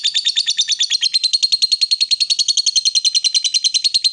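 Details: Ngekek long chatter from a female fighter lovebird, used to rile rival birds: a continuous stream of quick, grating high chips, about three or four per second of rattle, steady throughout without a break.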